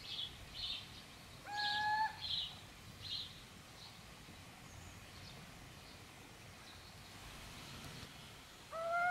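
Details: Little owl at Gmina Podedwórze on 2 November 2018 giving a clear, slightly rising whistled call, repeated after about seven seconds. Between the calls, faint high chirps from small birds sound over a soft background hiss.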